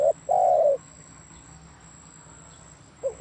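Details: Spotted dove cooing: a brief low hollow coo, then a longer sustained coo with a slight downward slide, a pause of over two seconds, and the start of another short coo; faint steady background hum.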